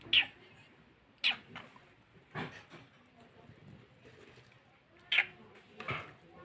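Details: Tame long-tailed shrike chick calling with brief, high, sharp chirps spaced unevenly, about one per second at times, over a quiet background.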